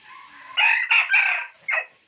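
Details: Rooster crowing to entice wild birds from the woods: a soft lead-in, then a strong, coarse three-part crow and a short clipped final note.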